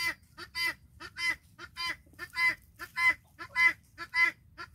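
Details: Farm-raised guineafowl flock following a hen: loud, harsh, rasping calls rich in overtones, repeated in a steady rhythm of nearly two per second, each call short and grating, with no other clear sounds.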